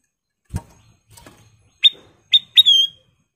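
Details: Kutilang emas, a golden-coloured sooty-headed bulbul, in active song: after two soft taps, three clear whistled notes rise in strength, the last stretched into a falling whistle, all within about a second and a half.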